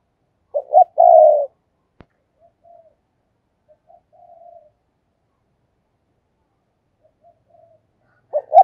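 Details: Spotted dove kept as a decoy (cu mồi) giving thúc and gáy gọi calls. A loud two-part hoarse coo, then several seconds of faint distant cooing notes and a single click, before loud cooing begins again at the end.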